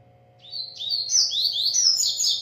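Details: Double-collared seedeater, a bred bird, singing at length: a run of bright whistled notes that climb and slur upward, with quick twittering flourishes, over a steady low hum.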